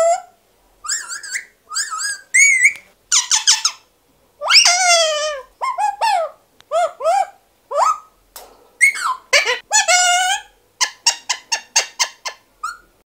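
An Alexandrine parakeet gives a lively string of rich, rising and falling whistles and squeaky notes, ending in a quick run of sharp chirps; nothing else is heard.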